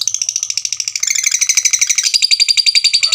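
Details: Caged fighter lovebird giving its long ngekek, a trill meant to provoke rival birds: a fast, shrill, buzzy chatter of evenly spaced pulses running without a break, slightly brighter and louder in the second half.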